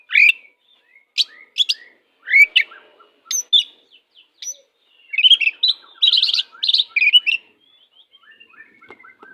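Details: Kacer, the oriental magpie-robin, singing a 'jahat' tutor song: sharp clicks and whistled upslurs, then a dense stretch of varied scratchy chattering phrases, fading into soft ticking notes.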